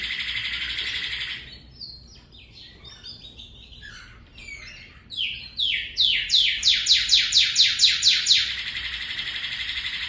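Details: Northern cardinal singing in a canary-like style. Soft varied warbling notes build into a rapid run of about ten loud, sweeping downslurred whistles, all over a constant high-pitched hiss.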